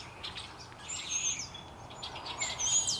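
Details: Flock of little birds in a maple treetop singing as a storm approaches on an overcast early afternoon, Central Saanich, British Columbia, Canada; scattered high thin whistles and chirps over a soft background hiss.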